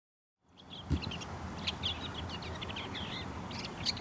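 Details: Bull-headed shrike giving its courtship song: after a brief silence, a varied run of short high chirps, trills and slurred notes, with several sharper accented notes and steady background hiss.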